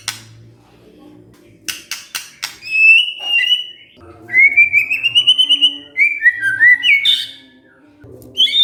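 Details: White-rumped shama answering when provoked, singing gacor: sharp clicks, then sweet whistled phrases sliding and warbling at high pitch, with a low hum beneath.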